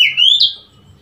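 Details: Oriental magpie-robin recorded on 3 March 2021: a single loud whistled note that dips, then rises and slurs upward before fading, with a faint low hum underneath.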